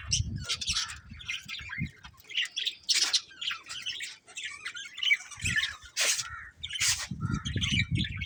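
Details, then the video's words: Budgies chirping: busy, overlapping squawky chatter and scratchy warbled notes, mostly high, with a few sharp louder chirps. Low thumping sounds recur at times. "Cute Budgies Chirping Sounds"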